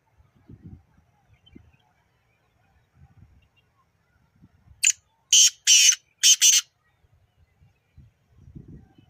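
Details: Kala Teetar, the black francolin, recorded at Nawabshah, gives one burst of five harsh, scratchy notes in under two seconds, after near silence broken only by soft low thumps.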